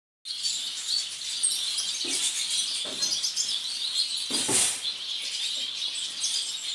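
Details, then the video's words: Captive masked lovebird, violet mutation, chattering continuously in shrill, high-pitched squeaks and twitters, with a louder burst of harsh chatter midway. "AGAPÓRNIS PERSONATA VIOLETA"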